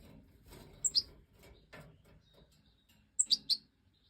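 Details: Major goldfinch in breeding season, 2024: a pair of thin, high chirps, then after a pause a quick cluster of three bright tinkling notes. Soft rustling and low background noise run underneath.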